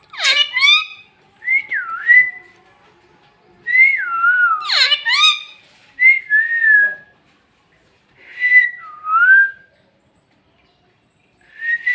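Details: Parrot said to talk in Bhojpuri, uttering short raspy, harmonic-rich bursts followed by clear swooping whistles that fall then rise, in groups separated by pauses of silence.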